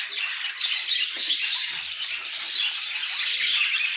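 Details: Pet budgerigars chattering: a dense, continuous wash of high, scratchy warbles, chirps and squawks from several birds at once, with no pauses, in a small indoor room.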